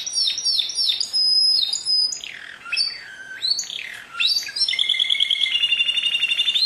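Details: Canary singing a varied song: high whistled notes, downward-sweeping slurs, then a fast buzzy trill of rapid repeated notes to the end.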